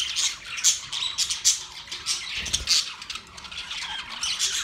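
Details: Budgies singing while mating, loud high squeaks and sharp chirps in irregular bursts over a constant background of twittering chatter, with a brief soft thump midway.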